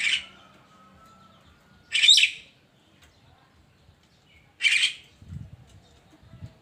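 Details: Morning song of a Javan myna: three loud, scratchy squawks spaced about two and a half seconds apart, with a faint thin whistle and some soft low rumbling.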